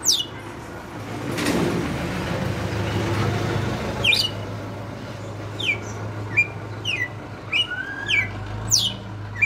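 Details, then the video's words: Red-cowled cardinal held in captivity for five years, delivering açoite song: after a loud vehicle passing, a run of short, steeply falling whistled notes repeats in quick succession over a steady low engine drone. "Galo de campina no AÇOITE"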